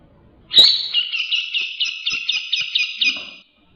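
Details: Grey-cheeked bulbul (cucak jenggot) in full song, used to tutor other cage birds: a sharp opening note runs into a three-second trill of about a dozen slurred, bouncing pulses.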